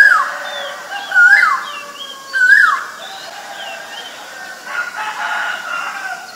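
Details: Male Asian koel giving three loud whistled notes, each rising then dropping steeply, about a second apart, followed by quieter background birdsong and a distant, softer koel-like note.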